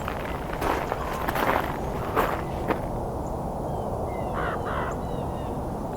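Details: A Common Raven at Fletcher Creek Ecological Preserve, Puslinch, Ontario, on 30 December 2021 during a Christmas Bird Count, flying toward the recorder, gives several harsh, hoarse croaks, then thin whistled notes from another bird follow over a low rumble.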